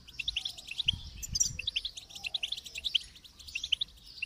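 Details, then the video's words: Goldfinch song: rapid, tinkling twitter of short high notes, close together and steady for the whole stretch, with a few louder sharp chips and a faint low rumble in the background. "Motivating Song of the Goldfinch"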